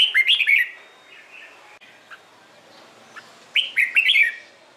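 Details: A Red-whiskered bulbul sings its morning competition song to spur birds into singing: two lively warbled phrases of rapid, slurred whistles about three and a half seconds apart, separated by soft, faint notes.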